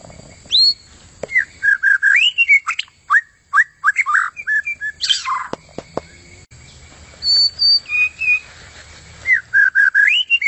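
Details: White-rumped shama song, a recording meant as training material for contest birds: varied loud whistled phrases with rising and falling slurs, rapid chattering notes and pauses between bursts.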